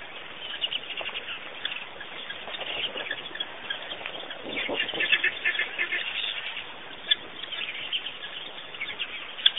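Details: Busy bird chatter at Pete's Pond in Botswana, Africa. Quick chirps overlap throughout, building to a fuller burst of tweeting around the middle, with scattered sharp accents.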